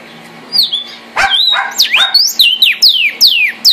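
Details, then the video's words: Red cardinal song: a run of bright downslurred whistles, some hooked at the end, delivered in quick succession after a short pause and a brief rustling burst, with a faint background hum. "cardenal guajiro rojo, canto de las aves"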